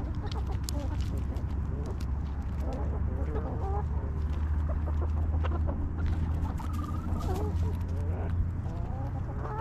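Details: Relaxed backyard chickens in their coop give soft clucks and brief curving chirps at uneven intervals over a loud, steady low drone.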